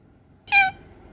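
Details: Indian ringneck parakeet making one short, nasal squawk with stacked harmonics, lasting under a quarter second, against low background hum.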